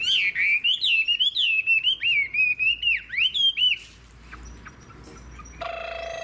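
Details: Chinese hwamei, an old wild-caught bird with a fig-leaf tail, pours out a clear, rapidly undulating whistled phrase with dipping slurs, then falls quiet as a steady tonal hum appears.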